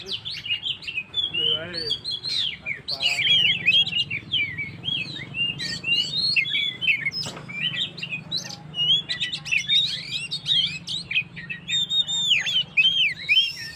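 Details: Extended gacor song of an Oriental magpie-robin, played to rouse stressed birds: a long, varied medley of rapid chirps, slurred whistles and buzzy rattles, nearly continuous over fourteen seconds.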